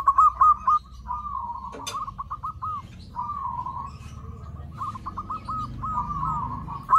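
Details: Zebra dove call used as a lure to attract other zebra doves: rapid stuttering trilled coos in repeated phrases, each a quick series of short notes followed by a drawn-out rolling coo, with low background rumble.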